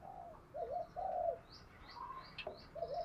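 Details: Decoy spotted dove giving urging coos to lure wild birds, 'giọng thổ' style: several low hooting coo notes, accompanied by higher chirps from other birds and a few faint clicks.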